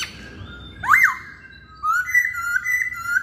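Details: Masked laughingthrush in full, lively song: a sharp rising-and-falling whistle, then a longer run of clear, steady whistled notes wavering slightly in pitch.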